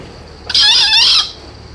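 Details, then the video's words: Green junglefowl, 4 months old, gives a single harsh, hoarse crow lasting under a second, loud and broadband with a rasping, buzzy texture. A quiet background hum runs before and after. "kokok ayam hutan Hijau 4 bulan"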